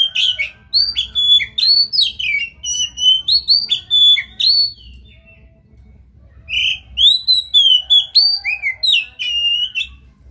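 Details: Rich song of an Oriental magpie-robin, used to get another magpie-robin singing: two long runs of rapid, loud whistles, upslurs and chattering notes, broken by a short quiet gap.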